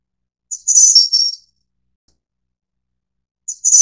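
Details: A single complete high, sibilant phrase from a Snowy-browed Flycatcher of the Taiwan subspecies innexa, a quick run of thin descending notes, followed by silence and the start of another phrase.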